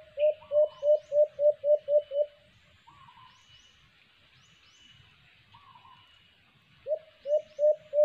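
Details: White-eared brown dove, known locally as alimokon, recorded while trapping with a cage trap. Low hooting notes come in a quick series of about seven, then a pause, then four more. Faint higher chirps from other birds sound in the background.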